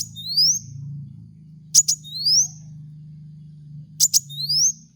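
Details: Kolibri wulung song played as a lure for cage birds: thin rising whistles alternating with sharp double chips, repeated about every two seconds over a constant low hum.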